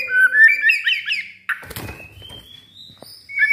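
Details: White-rumped shama, a house bird never taken to contests, sings a run of rising whistled slurs, then a sharp click and scratchy rasping notes over a quieter thin whistle.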